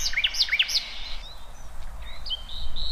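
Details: Wild birds out in nature: a few sharp, high chirps in quick succession, then thin sustained whistled notes, with a low outdoor rumble underneath.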